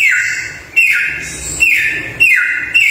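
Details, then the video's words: Samyong bird giving loud slurred whistles that drop in pitch, repeated roughly every half second to second, with a faint higher note between. "Suara Burung Samyong Gacor Super Mewah"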